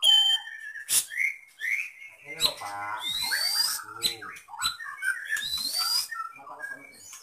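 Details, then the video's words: Medan white-rumped shama, kept in a cage, delivers a song stuffed with lovebird, canary and cililin imitations: harsh buzzy bursts, rattling trills, squeaky rising whistles and abrupt sharp notes in a varied, hurried flow. "Murai BATU MEDAN FULL ISIAN LOVEBIRD, KENARI, CILILIN | SHAMA BIRD"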